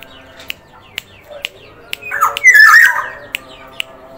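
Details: Sumbawa Black-naped oriole in full voice: a single harsh, swirling squawk-and-whistle phrase in the middle, framed by evenly spaced sharp ticks and faint high chirps.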